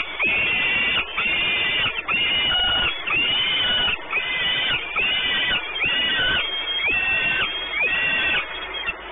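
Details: Peregrine falcons nesting at Orlen Płock, Poland, 28 May 2019: a continuous run of loud, raspy, wailing calls, each about a second long with a falling end, given one after another without pause.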